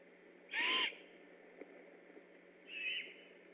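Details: At night on 3 October 2015, great horned owls neighbouring a Decorah eagle nest go on alert: two high, raspy whistled calls about two seconds apart, the first louder and harsher, each around a third of a second.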